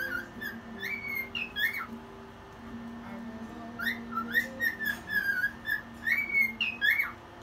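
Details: Indoor cockatiel's late-night song at 1 a.m., delivered while dancing: a run of short rising and falling whistles, some looped and chirpy, in quick bursts with brief pauses, and a faint low tone beneath.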